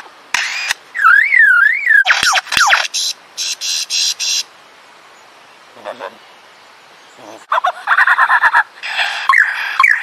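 Lyrebird song: a varied medley of wavering, warbled whistles, harsh buzzing bursts and rapid repeated clicks, switching abruptly between very different sounds.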